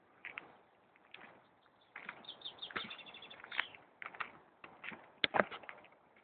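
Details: Geese at a pool, a group calling together: a dense run of harsh honking calls with strong harmonics, several overlapping bursts spread through the recording between quieter gaps.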